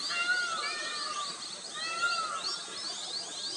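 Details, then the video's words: Black-throated munia chicks being fed at Vamanjooru near Mangalore, India, December 2022: a busy, overlapping begging chorus of thin, high, wheezy squeaks, rising in two bursts about two seconds apart. "Feeding Chicks - Munias"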